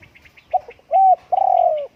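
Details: Spotted dove giving a short note, then a sustained level coo and a longer drawn-out coo. Faint high chirps from another bird sound before and during the cooing.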